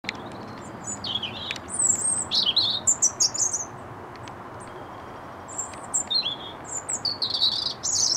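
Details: European robin singing at RSPB Rainham Marshes, England, on 8 October 2016; thin, high, wistful warbled phrases of sliding whistles and trills, delivered in short bursts separated by brief pauses, over faint low background hum.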